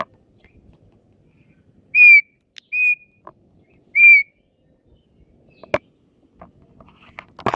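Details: Asian pied starling at a bird song competition: three loud, clear whistled notes about a second apart, two of them short with a slight downward slur, followed by scattered clicks and faint knocks.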